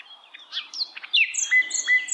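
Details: Wild hill blue flycatcher singing in the wild, a quick run of sweet, high whistled notes and down-slurred phrases, with very faint background noise.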